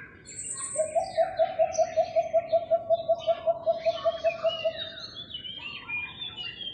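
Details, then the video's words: Philippine coucals, often heard in a residential neighborhood, recorded May 3, 2022: a steady run of deep, hollow hoots, about five a second for four seconds, while other birds chirp and twitter higher up. "The Call of Philippine Coucals"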